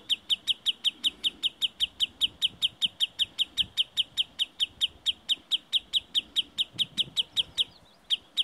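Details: A sandpiper on the hills near Murmansk, leading an intruder away from its nest, gives sharp, high, clipped notes in a fast steady series, about three or four each second, with a faint low murmur of wind behind.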